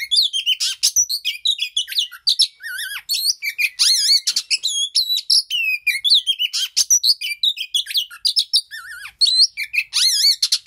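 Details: Oriental magpie-robin singing during mating: a dense, rapid stream of varied whistled notes, rising and falling trills and buzzy chirps, high-pitched and continuous with brief pauses.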